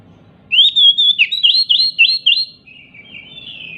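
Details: Oriental magpie-robin, agitated and jumping, sings to provoke silent magpie-robins. A clear whistle opens a quick series of about seven loud, looping whistled notes, which fade into a softer, drawn-out warble.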